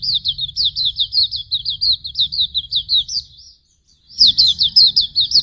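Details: Pleci tutor song: a long, fast chain of high, falling whistled chirps, close to three per second, a brief pause, then the rapid series resumes.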